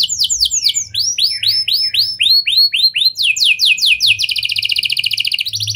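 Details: Canary singing nonstop in a lovebird and prenjak imitation style, used as a lure for other canaries. Swooping whistled notes speed up into quick downstrokes. They end in a fast even trill.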